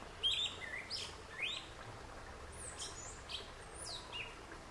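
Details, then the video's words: Yellow-legged thrush (sabiá-una) singing, a song the recordist found louder than that of other thrushes; quiet high whistled and slurred notes, some rising, some falling, given in loose bursts about once a second over faint steady background hiss. "O CANTO DO SABIÁ-UNA"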